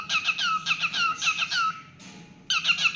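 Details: A pet cockatiel's singing: rapid squeaky whistles with downward glides, a short breathy gap, then the chirping resumes in a quick burst.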